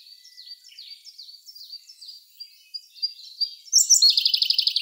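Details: Siberian blue robin song in May 2021, Sony A1 recording: repeated down-slurred chirps fill the first seconds, then a loud, high, rapid trill bursts out at the end.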